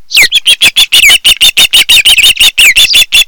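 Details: Osprey calling at a nest on Kent Island, Maryland, caught by a nest cam in late July 2018, early afternoon; loud, close, shrill whistled cheeps given very fast, about three per second, with a few downslurred notes.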